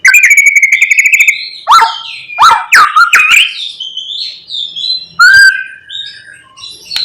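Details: White-rumped shama in full morning lure song, packed with mimicked phrases and meant to provoke other shamas into singing. A fast, even trill of rattling notes opens, then loud whistled swoops and sharp downslurs follow, ending in soft warbling.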